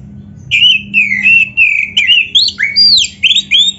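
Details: Oriental magpie-robin singing a full, winning-style kacer song to provoke other birds into replying; sweet, loud whistles sliding downward, then choppier rising and falling notes in quick succession.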